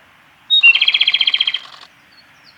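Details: Male Japanese robin singing at Yanagisawa Pass on 28 April 2019: a sharp high opening note followed by a fast, rattling trill of about a dozen even pulses, lasting roughly a second, with faint distant chirps afterwards.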